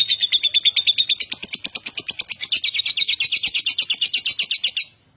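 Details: Lovebird chattering song used to prompt other lovebirds to sing: a fast run of harsh, buzzy chirps, about three per second, repeated steadily for nearly five seconds before stopping abruptly.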